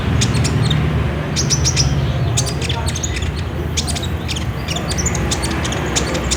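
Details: Olive-backed sunbird song, played to prompt a caged bird to sing: quick, thin, high chirps and short trills in bursts, loudest at the start and near the middle, over a constant low rumbling hum.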